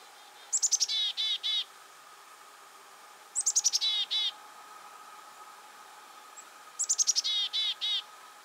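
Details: Black-capped Chickadee, eastern North America backyard, gives three chickadee-dee-dee calls, about three seconds apart, each opening with quick high, falling notes and ending in four or five buzzy, harsh 'dee' notes over a faint steady hum.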